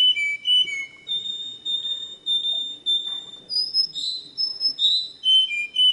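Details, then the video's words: Canary singing a clear, pure song: a series of sweet whistled notes that slide down and up, some short, some held, in a quick, uneven run with slight room echo. "تغريد الكناري صافي و احترافي جودة عالية-Chant Canari"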